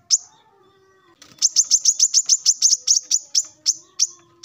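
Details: Male plain-throated sunbird in full song in the morning, calling rivals: one sharp high chip, a pause, then a fast run of about a dozen piercing high chips that slows toward the end.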